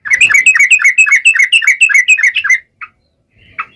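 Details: Ngalas tajam song from a yellow-vented bulbul, meant to make other bulbuls answer: a steady, evenly paced string of about a dozen rippling notes, then two lone chirps after a silence.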